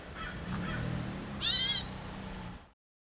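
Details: Hermit Thrush in a bush by a parking lot in Santa Barbara, California, October 2024, repeating its distinctive alarm call, possibly at a perched hawk: a single harsh nasal alarm note after two faint softer notes, over steady low traffic rumble.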